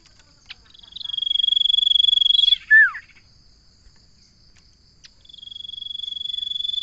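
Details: Common iora giving a rapid pulsed trill on one high pitch for nearly two seconds, capped by a loud falling whistle, then a second pulsed trill starts after a short silence.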